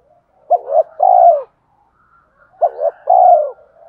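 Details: Spotted dove cooing, played to provoke other doves; two phrases, each a pair of clipped hoots and a longer mellow, downslurred coo, with soft background murmurs.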